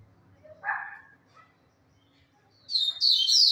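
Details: On a Thursday the 17th, a brief Portuguese remark comes before a second of high, bright song from a Double-collared seedeater: fast, sweet, slurred notes at the end.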